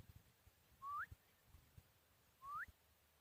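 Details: Chukar partridge, a four-year-old bird raised from a chick, in Tajikistan in 2021, gives two clear rising whistled notes about one and a half seconds apart, each sweeping upward at the end, over quiet low background.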